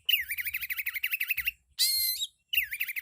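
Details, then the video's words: Loud Oriental magpie-robin song full of isian, learned phrases from other birds: fast repeated warbling trill of rising-falling notes, a harsh buzzy burst, then the trill resumes. "Suara burung kacer full isian suara kencang"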